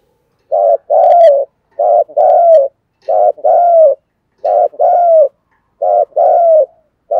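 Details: Spotted dove giving 'thúc gù' cooing in the 'giọng thổ' voice, used to lure wild doves. Low, rough coos come in pairs: a short note, then a longer falling one. Five pairs, about every 1.2 seconds, with clean silence between.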